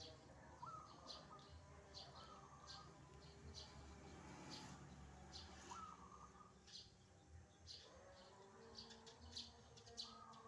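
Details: Morning song of a wild zebra dove (perkutut) trading calls with a caged bird at home. Scattered rising-then-trilled coo phrases, some faint and distant, with outdoor noise and light chirps behind.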